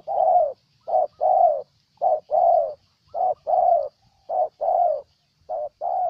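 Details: Spotted dove from Ninh Thuận, Vietnam, cooing steadily: a short note then a longer falling coo, repeated in an even rhythm about once per second, with a quiet background.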